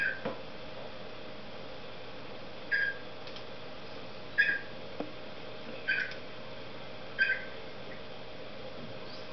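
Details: A pet cockatiel sings, giving short, bright whistled chirps about one every second and a half, over a low steady indoor hum; cockatiel.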